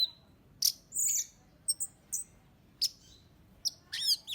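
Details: Lure recording of an orange-headed thrush: short, very high whistled notes and thin chips, scattered with gaps, ending in a rapid twittering cluster.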